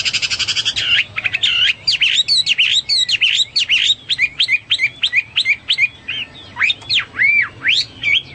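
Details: Hwamei song used as a training recording for pet songbirds: a rapid run of varied loud whistled notes, opening with a fast buzzy trill, then looping rising and falling phrases repeated about three times a second.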